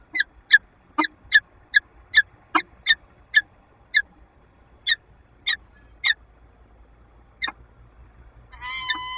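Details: Female peregrine falcon with her mate in a nest box in Lublin, Poland, 15 February 2022: a quick series of sharp chips that slows and spaces out, ending in a longer harmonic wailing note.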